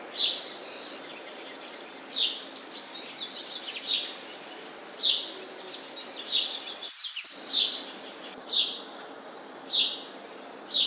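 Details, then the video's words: Sparrow chirping, played to call sparrows home: short bright chirps around 3–5k, roughly one per second with softer twitters between, over steady hiss; a brief dropout near seven seconds. "Sparrow Chirping sound"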